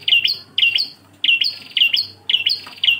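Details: Bar-winged prinia, klawu engkel style, singing as a tutor recording for cage birds: paired sharp chirps, each followed by a higher falling whistle, in quick bursts with short pauses, over a soft low hum.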